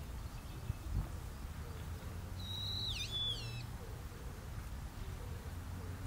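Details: Long-eared owl parent and young on Tsushima, giving one shrill, drawn-out squeal that holds level, then sags and wavers before trailing off, heard over steady low-pitched background hum.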